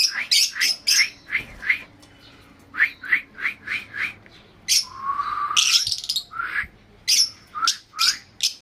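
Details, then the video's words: Lovebirds calling: a rapid series of sharp, high chirps and squawks in short bursts, with one longer rising buzzy note in the middle, repeated many times over a quiet background. "love birds"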